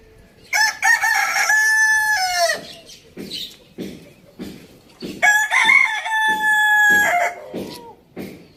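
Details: Farm-village rooster crowing twice in quick succession, each crow a loud harmonic call rising briefly then held flat for over a second before sliding down, with soft clucking between the crows.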